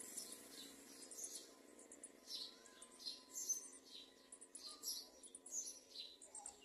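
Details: Garden sunbird chicks begging at the nest while being fed: thin, high chirps in quick, uneven runs, rising and falling in short bursts throughout, over a quiet background.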